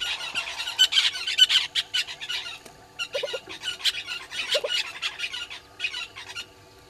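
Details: Red-billed hornbills below a live waterhole camera at Gowrie dam, Djuma Game Reserve, Sabi Sand, South Africa, at 06:08 on 20 March 2022. Rapid bursts of harsh, clucking squawks come in uneven runs over faint background hum.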